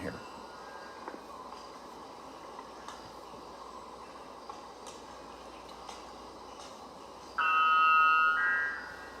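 A bellbird gives one loud, ringing, metallic tone lasting about a second and a half near the end, after a steady indoor hum.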